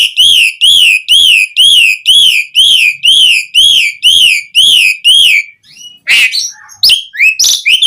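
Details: Song of an Asian pied starling, played to get captive birds singing: about ten identical rising-falling whistles at a steady pace, then a jumble of scratchy, varied notes.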